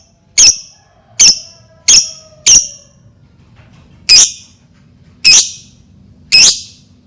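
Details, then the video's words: Shrill, clipped lovebird chirps meant to set other lovebirds calling, seven sharp high notes, four quick ones then three more spaced about a second apart, with a quiet pause between. "Pancingan Lovebird dijamin Lovebird lain langsung bunyi"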